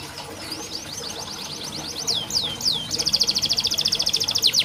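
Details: Canary song played as training for reluctant singers, starting faint then rising: rapid downward-sweeping whistled notes, a few loud swooping slurs, then a fast buzzy trill repeated about six times a second.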